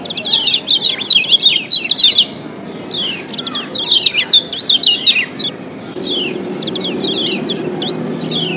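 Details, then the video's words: Yellow white-eye (kecial kuning) of Lombok, played to lure and spur lazy birds into song: energetic high chittering phrases of rapid slurred chirps, several bursts separated by short gaps, with a low background hum toward the end. "Kombinasi Ciak Joss Kecial Kuning PATEN‼️Ampuh Pancing Kecial Malas Auto GACOR‼️"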